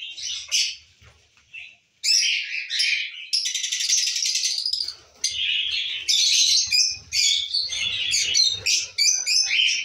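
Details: Captive breeding lovebirds, Lutino and masked (personata), chattering: a few squeaky chirps, then almost continuous harsh, buzzy screeches and rapid chatter, with one long rattling stretch; several birds seem to call together.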